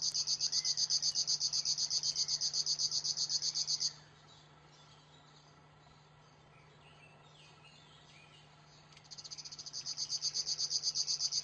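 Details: Kicau tembakan song of a river warbler: a mechanical, insect-like high buzzing of regular rapid pulses for four seconds, then near silence for five seconds before the pulsing resumes and grows louder. A faint steady low hum runs throughout.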